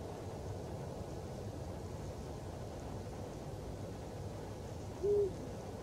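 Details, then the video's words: A Eurasian eagle-owl (Bubo bubo) hoots from a construction crane at the former Barkarby airfield, Sweden, late evening on 26 January: a single deep, short hoot near the end, over a steady low rumble like distant traffic. "Berguv läte, Eurasian eagle-owl call, Bubo bubo."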